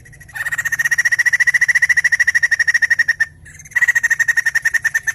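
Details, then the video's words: Lively white-crested laughingthrush song, used to stimulate other birds to sing: a long chain of fast, evenly spaced ringing notes, a brief break, then the rapid series resumes. "Burung poksay Jambul gacor"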